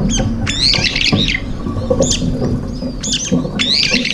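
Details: Brown-eared bulbuls feeding together and fighting over food in the morning; loud, screechy squeals with sharp down-slurred notes in short bursts, against a low rumbling background.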